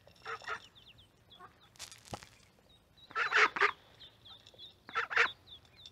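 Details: Mallards with ducklings, recorded by a microphone placed by the corn. Harsh, loud quacks come in close pairs, while thin, high, downslurred duckling peeps repeat throughout against a low background rumble.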